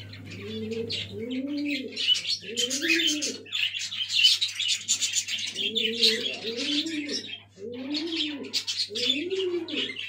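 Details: Black fantail pigeon babies: short arched low coos repeated in clusters about every half second, under a dense layer of high squeaky chirping, with a steady low hum throughout.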